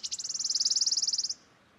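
A wood warbler's song ends in a fast, high, shivering trill of about twenty metallic notes that run together in just over a second, then stop.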